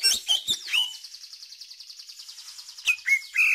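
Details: Oriental magpie-robin lure song to prompt young birds to sing: a few sharp whistled notes open into a long, even buzzy trill, then loud slurred whistles return at the end.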